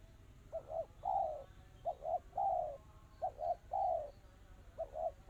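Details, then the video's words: Spotted dove cooing in the fast, tightly packed crystal style: roughly three and a half phrases, each a doubled short coo followed by a drawn, falling note, over quiet background noise. "Suara burung tekukur kristal rapat cepat"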